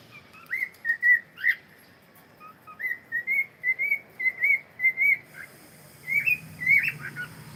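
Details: Cockatiel singing: a run of clear whistled notes, several rising and falling, repeated in quick succession for about five seconds, followed by a couple of sharper, higher chirps near the end.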